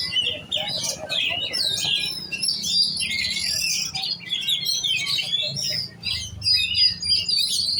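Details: Caged giras oriental magpie-robin in training for song contests: a long, energetic stream of high whistles, trills and buzzy mimic-like notes with frequent changes of phrase and a few brief breaks; steady low background noise.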